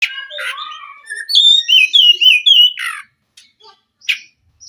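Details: White-rumped shama singing a varied phrase of loud, clear whistled notes, sliding and rising, with quieter chirps before and scattered sharp notes after.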